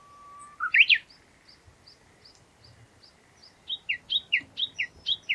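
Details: Wild Japanese bush warbler: a low whistle ends in an upswept flourish, soft spaced high chips follow, then a rapid string of loud repeated down-slurred notes in the valley-crossing tani-watari style, over quiet background hiss.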